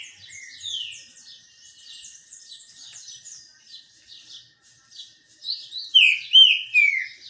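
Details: A green-winged saltator sings during its sun bath. Soft, high twittering and chatter come first, then a loud burst of slurred whistles drops in pitch at the end.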